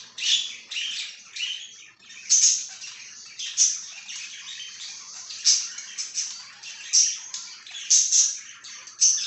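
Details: Pet budgerigar, 26 July 2023, chirping almost nonstop for nine seconds: rapid scratchy twitters broken by about a dozen sharper, louder chirps at irregular intervals.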